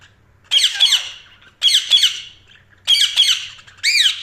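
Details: Four squawky budgerigar chirps, the first three doubled and gritty, the last a sharper rising-falling note, spaced about a second apart.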